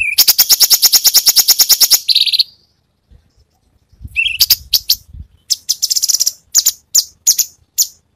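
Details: Masteran song of a gacor cucak cungkok with varied tembakan: a quick rattling run of high notes, a buzzy burst, silence, then a rising whistle and an irregular string of sharp chirps.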